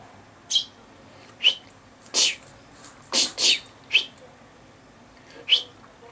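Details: Common chaffinch, dated 19 August 2013: short sharp high calls, each a brief bright note, given at irregular intervals of about a second, with quieter faint notes between.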